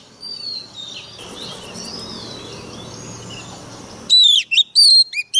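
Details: Oriental magpie-robin kept as a decoy bird, fired up and singing fiercely: after about four seconds of faint high warbling over a low hum, loud whistled phrases burst in, with sharp rising and falling notes in quick broken bursts.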